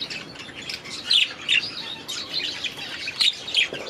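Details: Flock of budgies kept in an aviary, a busy mix of high twittering chirps and short squeaks overlapping, with brighter accented notes about every half second to second.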